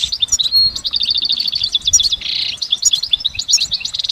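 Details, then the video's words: Goldfinch singing continuously in nature, its song full of layered sounds: a fast trill of repeated notes, twittering, a brief buzzy rasp, then more quick chirps. "Exceptional recordings of the goldfinch in nature"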